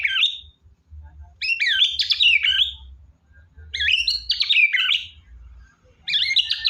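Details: White-rumped shama in energetic full song: loud, varied whistled and chattering phrases about a second long, sweeping up and down, repeated roughly every two seconds with short silences between, over a faint low hum.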